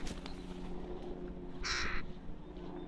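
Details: A single drawn-out, harsh caw from a young crow in the Rosental, Leipzig, Germany, rising out of a low humming background.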